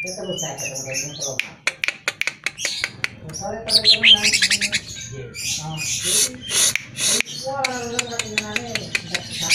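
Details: Greater green leafbird song played to make caged birds respond: irregular dry clicks and sharp chips, a burst of high chattering notes, and stretches of grating buzzy phrases, with a faint low hum behind.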